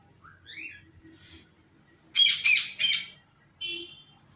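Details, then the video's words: Pet Indian ringneck parrot with a rising whistled note, then three harsh, buzzy squawks in quick succession and a short, flat, nasal call at the end. "Green Parrot Talking Sounds, Chirping, Voices"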